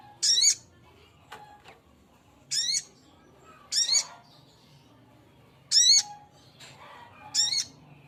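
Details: Male little spiderhunter calling to a female: loud, harsh, high-pitched rasping notes with sliding overtones, six bursts at uneven gaps of one to two seconds over a faint low hum.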